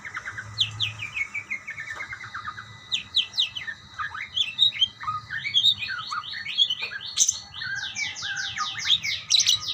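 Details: Budgerigars answering each other: a run of descending chirps opens, then dense overlapping warbles and fast repeated downslurred squeaks build into lively, steady group chatter.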